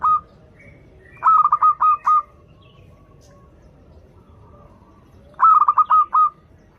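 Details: Melodious local zebra dove singing, used as a lure for young doves learning to sing: short bursts of five or six quick, soft coos, the phrases separated by pauses of several seconds in a quiet setting.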